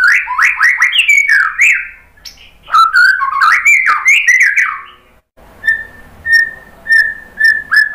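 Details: White-rumped shama lure song: two bursts of rapid, varied whistled phrases, followed by a steady series of short, clear, level whistles repeated about every half second.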